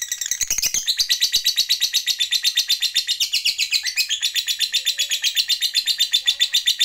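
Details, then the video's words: Lovebird delivering a long trill, ngekek panjang, meant to provoke other lovebirds: a high, rapid, buzzy chattering run of about four pulses per second, sustained for nearly seven seconds after a few opening chirps. "JAGONYA MENTRIGER LOVEBIRD, Labet Apapun Yang Dengar Jadi PANAS, CEPAT NARIK Ngekek Panjang"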